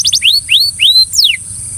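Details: Belgian canary singing to draw another canary into song: a few quick high chirps followed by three clear upward-sweeping whistles and one falling whistle.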